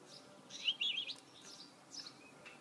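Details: Hybrid goldfinch (mule) gives a brief twittering phrase of scratchy, high chirps and quick slurred notes. A fainter twitter follows after a short gap.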